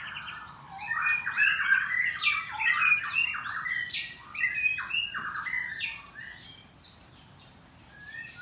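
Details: Aviary-kept white-rumped shama at a Bogor breeding farm, morning: fast, energetic song of stacked whistles and crisp slurred notes about three per second, fading to quieter scattered notes toward the end.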